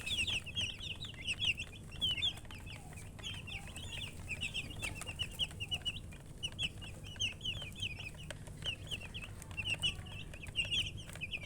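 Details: A flock of young chicken chicks chirping without pause, dense overlapping high peeps in bursts, with scattered clicks and a low background hum.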